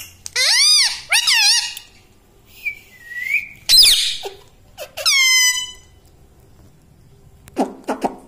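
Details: Talking pet parrot indoors, said to say mummy and papa; bursts of harsh, strongly harmonic arched syllables with pauses, ending in a few short clicks.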